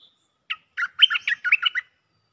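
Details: A cream-vented bulbul's looping call for a mate: a single bright lead note, a pause, then a rapid, rhythmic chain of about eight rich, bubbly notes rising and falling in pitch, in near silence.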